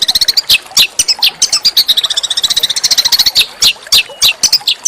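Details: Small songbird master song for oriental magpie-robins, rough yet melodious: continuous very high twittering with fast chip runs and slurred whistles, busy and unbroken.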